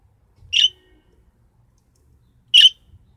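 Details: Young budgerigar during taming and training, uttering two brief, scratchy, high chirps about two seconds apart in a quiet indoor setting, with soft low rumbling in the background.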